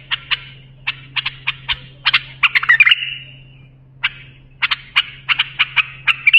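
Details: Song of a bulbul, used to teach young birds: short, sharp, spaced notes that bunch into denser warbled clusters, one sustained trailing tone midway, then more quick notes; constant low electrical hum behind.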